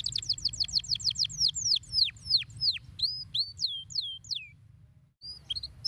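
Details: Canary singing to stimulate other canaries: a fast series of high downward-sweeping notes, then slower looping whistled slurs, a brief pause, and a final short phrase, over a faint low hum.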